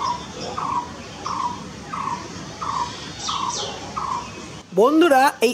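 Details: Blue-throated barbet giving six rolling notes at a steady pace, with brief high chirps from another bird, before a loud human voice abruptly cuts in at the end.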